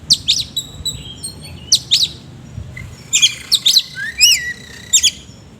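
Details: Energetic oriental magpie-robin song with rough imitations: sharp up-down chirps, thin whistles and a rising slurred phrase, delivered in lively clusters.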